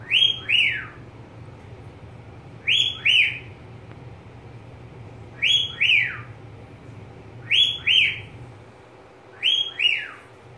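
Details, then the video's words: Pet budgerigar giving five bursts of loud, sharp, downward-sweeping double chirps, each pair rising quickly then falling, spaced about every two seconds, over a low steady indoor hum. "Mi Periquito"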